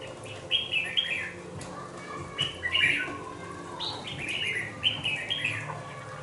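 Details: Two-month-old red-whiskered bulbul, a young caged bird, repeats short warbled phrases of bright whistled notes at a lively pace. There are about six phrases with brief pauses between them, over a faint hum.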